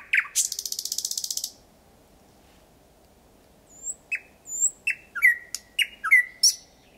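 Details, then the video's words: Thrush nightingale singing at night (01:23) on 8 May 2020 in Kiili parish, Estonia, about 4–5 m away: a fast dry rattle of about a dozen clicks, a pause, then loud piping whistles and sharp chooks in quick succession. "Ööbik väga lähedal laulmas"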